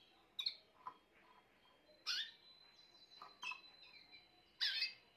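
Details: Grey Timbrado canary singing: four short, bright chirpy bursts spaced roughly a second or more apart, each a quick burst of high notes, with a thin steady high-pitched tone running between them in a quiet indoor setting.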